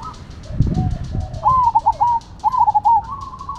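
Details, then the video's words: Cemani and Silver zebra doves in a singing contest. After a low thump, two rapid, stuttering coo phrases roll out, then a steadier held coo. A faint high ticking pulses throughout. "Perkutut Cemani Gacor Vs Silver Gacor"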